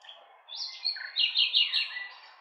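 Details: Short burst of nightingale song: a high whistled note, a lower slurred note, then a loud rapid run of stuttering chirps that fades away.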